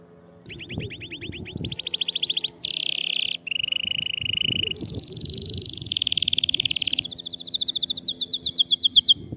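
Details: Canary singing to encourage a quiet canary into song: a long chain of tours, rapid swept notes, rolling trills dropping lower, then bright high pulsed rolls and sharp repeated sweeps, with low rumbling noise beneath.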